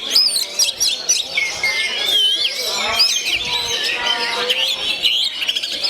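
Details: Natural singing of a 'gondo mayit' oriental magpie-robin: piercing whistles with wavering bends, quick chips and a rippling series of lower trilled notes, all densely layered and steady in volume.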